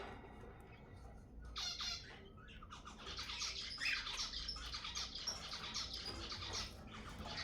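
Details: Zebra finches calling to stimulate mating: a dense, overlapping chorus of short nasal, harmonic honks, several birds at once, in a steady busy stream with faint low room hum underneath.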